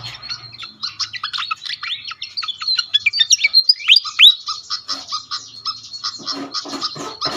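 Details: Pied fantail lure sound for attracting birds: squeaky rising whistled notes in a quick jerky series, louder in the middle, followed by regular sharp chip notes.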